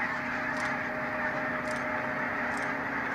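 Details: Huge flock of barnacle geese at the Stoomgemaal Nijkerk pumping station in the Netherlands: a dense, continuous chorus of overlapping yapping calls, with steady low mechanical humming tones running underneath and a few brief hissing bursts.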